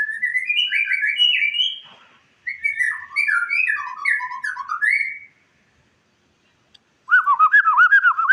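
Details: White-rumped shama song used to train other cage birds: fast runs of varied whistled notes in two long phrases separated by a pause, then a rapid looping, bubbling trill at the end.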